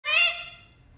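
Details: A pet parrot gives a single harsh, nasal squawk, loud then fading within half a second, no words; the bird apparently calls while searching for its "papa"; parrot call.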